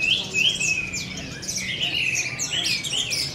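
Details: Caged four-month-old orange-headed thrush in contest training delivers a continuous stream of piercing whistled notes, long level whistles alternating with rapid downslurred chips and squeaky flourishes, with faint low background hum.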